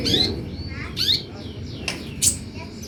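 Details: Brief sunbird lure sound meant to provoke other birds to respond: a few quick high, slurred chirps, two close together then two more, over low background rumble.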